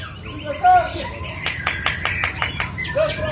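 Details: Murai hutan, the white-rumped shama, singing long 'tembakan' phrases: a pure low whistle, then a quick run of about eight crisp repeated strokes, ending on another clear whistle, with a faint low background hum.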